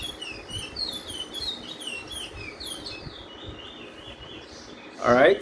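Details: A Lesser Seed Finch (bullfinch) sings the local Trinidad and Tobago roll: a rapid run of high, sweet, down-slurred whistles repeated several times a second and slowly falling in pitch. A man's voice breaks in at the end.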